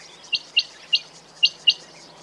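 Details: Quail uttering five brief, bright chirps, evenly spaced at first, then a short pause before the last two, against a low steady hiss.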